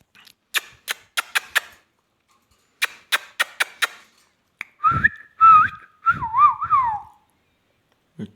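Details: Ringneck parrot, described as talking, gives a run of sharp clicks, then clear whistled notes that rise and warble in wavy loops, ending in a falling trill.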